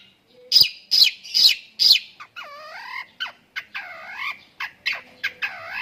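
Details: Long-tailed shrike song filled with lovebird imitation: four loud harsh squawks, then a looser string of nasal, wavering, buzzy notes and short clicks, varied in pitch.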